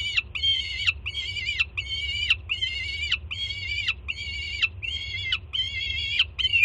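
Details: Jersey City juvenile peregrine falcon greeting its mother bringing breakfast with loud excited screams. Eight evenly spaced, harsh, nasal wails, each dropping at its end, come roughly every 0.8 seconds over a constant low hum.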